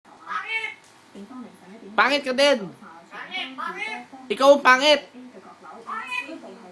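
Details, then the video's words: A myna imitates human swear words in hoarse, speech-like phrases, loudest around two and four and a half seconds, with quieter babble between. "Myna bird talking bad words"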